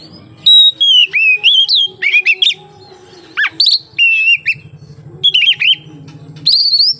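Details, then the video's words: Oriental magpie-robin singing as a lure for other magpie-robins; clear whistles mixed with quick chattering notes and sharp down-sweeps, phrases separated by short pauses over a soft low hum. "suara burung kacer untuk penarik / pancingan kacer gacor santai"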